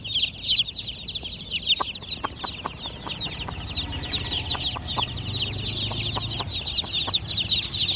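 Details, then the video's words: Baby chickens chirping continuously in a chorus of high, short peeps, several birds overlapping, with occasional louder sharp peeps standing out and faint low background rumble. "BABY Chicks are Doing Chirping Sounds! MURGI Ke Bacche!"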